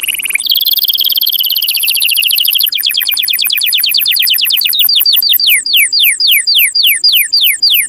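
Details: Mating-stimulation song of a canary: a dense, very high rolling trill that gradually slows into distinct downward-slurred whistles, repeated nearly twice per second toward the end.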